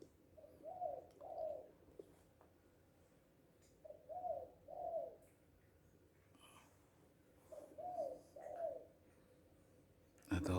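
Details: Spotted dove, locally Tekukur, Balam or Anduhur Bolon, happy and calling loudly; soft cooing phrases of two to three mellow notes, repeated about every three and a half seconds, with a sharp noise at the end.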